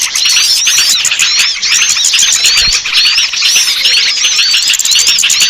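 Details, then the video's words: Lure sound for small birds that are reluctant to come down: crowded high-pitched twittering with many looping, rising-and-falling whistled notes repeated over and over, and a constant rapid chatter beneath. "Suara Pikat burung kecil yang susah turun"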